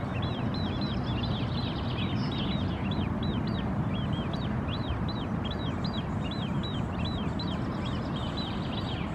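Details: A white wagtail (Motacilla alba) foraging on the shore in Helsinki, Finland, June 2016, gives high, bright chirping calls, about three each second, over a steady low rumble of wind or surf.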